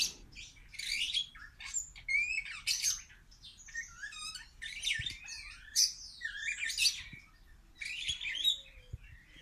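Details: A superb starling in the kopje aviary at BIOPARC Valencia sings a long, rambling run of chattering, squeaky and whistled notes, mostly high-pitched, with brief clicks and buzzes mixed in.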